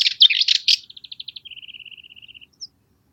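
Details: Cyprus Warbler song, a species breeding in dense Mediterranean scrub on Cyprus: a few scratchy chattering notes, then a long dry monotonous rattle of rapid high ticking notes, ending with one thin high note.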